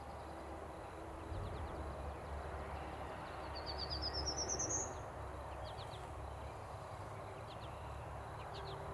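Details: Prairie warbler singing its 'spaceship taking off' song on 8 May 2020: one quick series of thin, buzzy notes climbing steadily in pitch, with scattered high chips over a steady low rumble.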